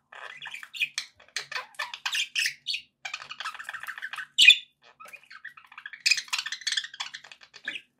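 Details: Pet budgerigars kept as company birds, chattering with rapid chirps, warbles and short squawks in bursts across the clip, one sharp louder squawk near the middle, with a faint background hum.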